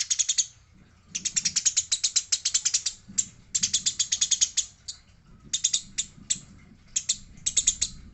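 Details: Fighting Eurasian tree sparrow, female mentioned: long rattling volleys of sharp, buzzy chirps, some runs lasting over a second, separated by brief pauses, over a faint low rumble.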